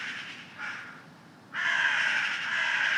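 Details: Noisy crows in the early morning give harsh, loud caws, a short one followed by a longer rasping call, over a steady outdoor hiss.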